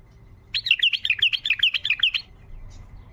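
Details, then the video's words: Tayyariyat song of a wild bulbul, meant to open up silent bulbuls: a fast, even string of sharp whistled up-and-down notes lasting nearly two seconds, then quiet. "طياريات بلبل وحشي لفتح البلابل القافله"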